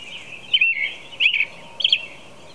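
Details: Three warbling phrases from an American robin singing at 4:00 a.m., each a quick up-and-down caroled note, the last slightly higher and squeakier, against faint steady background noise.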